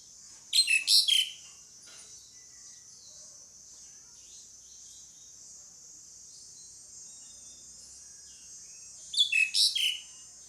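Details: Pied myna calls in two harsh, grating bursts of a few squeaky notes, roughly eight seconds apart, over a continuous high-pitched hiss.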